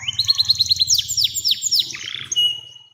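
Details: Long continuous canary song, described as used to prompt young canaries to sing and as a master tutor: rapid repeated downslurred whistles and trills, high and bright, fading out at the end.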